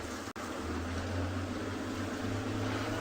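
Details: A steady low engine rumble fills the recording from start to finish, with a brief drop out near the start and no animal calls.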